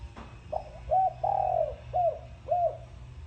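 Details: A single full thork sấm style phrase from a spotted dove: a short note, a brief coo, a loud drawn-out falling coo, then two shorter coos, over low background hum.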